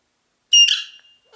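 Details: Ring-necked parakeet, described as a talking parrot, giving one brief loud harmonic squawk-like note of about half a second that fades out, then a faint tonal sound starting at the end; no other sounds.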